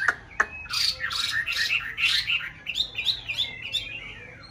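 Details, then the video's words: White Chinese hwamei, one of a pair kept in a conservation aviary in a mountain town during the nest-building breeding season, singing and displaying: loud clear whistles that rise and fall, then a run of rapid looping warbled notes. "họa mi bạch hót hay múa đẹp vào mùa xoáy tổ"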